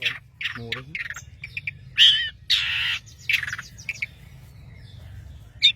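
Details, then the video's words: Singing long-tailed shrike from Madura: scattered squeaky chips leading into long, harsh, buzzy rasps and a few sharp high notes near the end. "CENDET Pentet MADURA GACOR"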